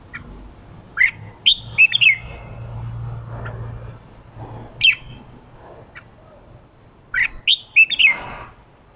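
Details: Red-whiskered bulbul coaxed into ché singing gives a clear whistled phrase of several linked notes, a pause with a single note, then the phrase again, over steady low hum.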